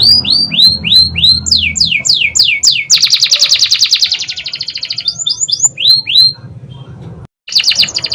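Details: Caged canary singing loudly in a long, fast sequence: repeated rising-falling whistled notes, then a rapid buzzy trill, more sweeping whistles, a short pause and another burst, with faint low hum underneath.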